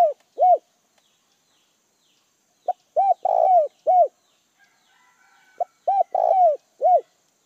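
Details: Spotted dove used as a decoy bird, calling to lure wild doves: low mellow cooing phrases, each a short lead note, a ringing coo, a long burry coo and a final coo, repeated three times with pauses between.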